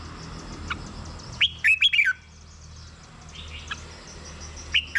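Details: Red-whiskered bulbul song meant to excite caged birds: one full warbled phrase of quick rising and falling whistles, followed by quiet, then the start of another phrase at the end.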